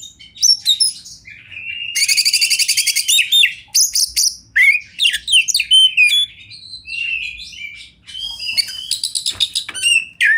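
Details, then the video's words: Wild Oriental magpie-robin (kacer) singing in river and forest surroundings, a champion-style tutoring song: a fast, varied run of high whistles, sharp chirps and dense buzzy trills, notes changing every fraction of a second with brief pauses. "Masteran Kacer Juara Alam Liar"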